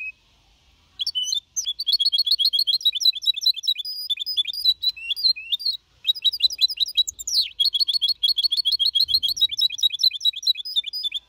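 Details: Goldfinch mixto, four and a half months old, singing clean in Malaga copy style, 2021, meant to motivate other birds; long bursts of quick, bright twittering with trilled and liquid notes, one short break midway.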